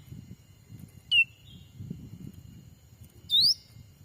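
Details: Black-capped bulbul call used as a lure to attract wild birds while trapping in a Sumatran forest. A falling whistle and, two seconds later, a longer rising whistle, over a constant low rumble.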